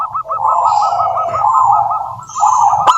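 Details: Zebra dove of local wild stock in lively, persistent singing, played as a lure to prompt other doves to sing; a rapid, rolling, pulsed cooing trill runs almost unbroken through the clip, with a faint higher hiss and a sharp click at the end.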